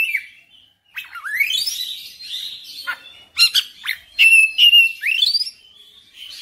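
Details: Oriental magpie-robin singing persistently and showing off its full repertoire of song material: clear whistles, fast rising sweeps, and sharp trilled and clicking notes in quick varied phrases, with a brief pause near the start.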